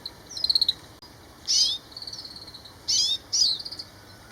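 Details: Grey-capped greenfinch calling: high, thin twittering notes in quick rattling runs, broken by brighter buzzy bursts, with short pauses between phrases.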